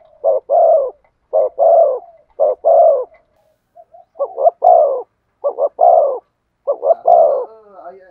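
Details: Spotted dove singing in the thổ sấm ('thunder') voice style: about six deep, hollow coo phrases in eight seconds, each a quick double note followed by a longer swelling coo, with faint soft notes between.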